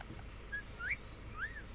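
A ringneck parrot gives three short whistled notes, the first flat, the next two rising then arching, about half a second apart, over a low background hum.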